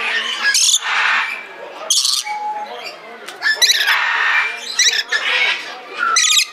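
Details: Red lory in Belgrade Zoo, Serbia: loud harsh screeching squawks in bursts, with bright buzzy overtones and a few short whistled notes, over a murmur of people talking in the background.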